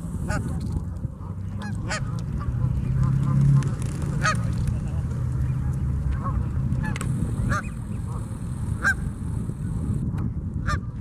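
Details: Canada geese honking at Memorial Park, Colorado Springs, Colorado, with clear separate honks every second or so standing above a continuous low rumble.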